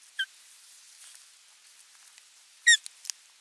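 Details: At a Finnish nest on 27 June 2022, where an osprey brings a fish and watches the feeding, an osprey gives two brief, high, whistled chirps about 2.5 seconds apart, the second richer and ringing, over faint rustling and soft clicks.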